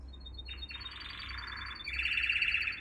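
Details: Canary singing for young birds to learn: a rapid chattering trill under a fast dry rattle that swells louder into a brighter buzzing roll.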